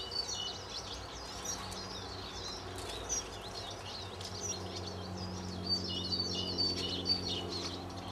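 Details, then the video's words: Eurasian siskins, at least 30, feeding on sunflower hearts at feeders and on the ground in a back yard in West Wellow, Hampshire, in March; many high twittering, wheezy chirps overlap continuously, with goldfinches and blue tits also present. "Eurasian Siskins (Carduelis spinus)"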